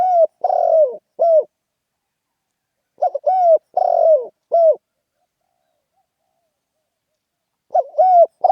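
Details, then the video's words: Spotted dove repeating its brisk ขันโยน call: three hoarse multi-note phrases about three seconds apart. Each pairs a short and an arched coo, then a long raspy falling coo and a clipped final note. No background noise. "เสียงนกเขาใหญ่ เสียงขันโยนเร้าๆ.."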